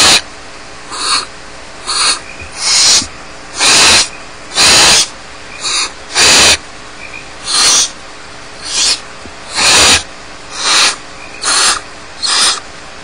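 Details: Several barn owl chicks left alone in the nest at Starr Ranch keep up a busy run of overlapping snoring hisses, long and short bursts alternating, about one a second, with brief faint clicks.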